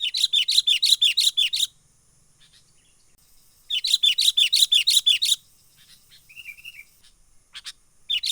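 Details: Wild sooty-headed bulbul giving a 'menggaruda' lure call used for trapping and tutoring birds: two fast runs of harsh, rasping chatter, each about eleven notes, separated by quiet with a few faint softer notes.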